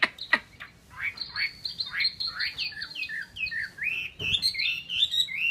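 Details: Caged Chinese hwamei from Vietnam delivering a fast run of slurred whistled notes, rising and falling, with sharp clicks near the start and a thump midway; the notes come several per second.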